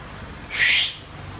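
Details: Baby birds in a nest on a light fitting, popping up whenever people make a noise, give a single loud, rough, hissing begging burst lasting about a third of a second; a person speaks just afterwards.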